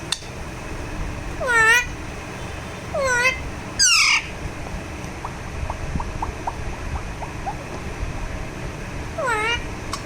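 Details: Alexandrine parakeet, a talking pet bird, calls during a massage: rising nasal squawks spaced a few seconds apart, one louder harsh screech, and faint ticking notes in between.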